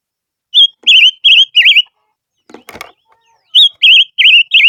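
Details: Decoy song of a silver-eared mesia, two runs of four wavy whistled notes broken by a brief rattling clatter.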